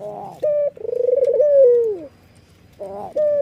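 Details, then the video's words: A white Barbary dove with red eyes laughs as it nods. A short flat note, then a long trilled coo curving downward, and a further short note at the close. "PUTER manapun pasti RESPON kalau sudah dengar suara puter putih mata merah ini ngangguk dan tertawa"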